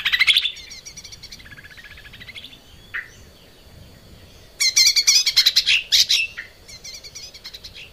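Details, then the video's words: A lesser green leafbird's training song for cage birds, opening with a loud burst, then a long run of soft, fast ticking notes, a brief pause and a final outburst of harsh, rattling chatter. "kicau cucak ijo mini gacor buat masteran"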